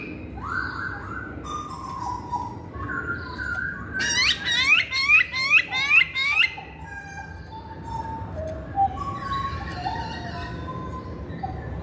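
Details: Masked laughingthrush lure recording meant to get males, even quiet ones, singing: scattered whistled phrases, then a burst of about seven rapid ringing repeated notes, followed by softer varied whistles over a low indoor hum.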